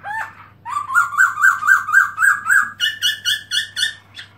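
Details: Garrulax chinensis, the black-throated laughingthrush, tail spread open, 2017: a brief double note, then a steady series of about a dozen bright whistled notes that step gradually higher and shift into a ringing repeated phrase, over a low electrical hum.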